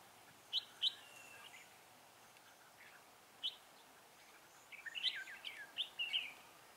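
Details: Red-whiskered bulbul recorded during a trapping session with a decoy bird on 19 December 2016; short, bright warbled notes at the start, a long pause, then a quick run of chirpy, slurred phrases near the end over steady background hiss.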